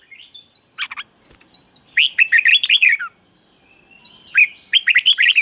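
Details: Doubled 'beul' song of the red-whiskered bulbul, slow and clear, for young birds to copy: a whistled opening note, then two bursts of fast bubbling, descending warbles separated by a short pause.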